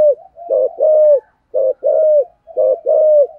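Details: Decoy spotted dove in the Vietnamese rustic voice style, cooing to draw in wild doves; three clear phrases of paired low hoots, each ending in a longer sliding coo, roughly one phrase per second.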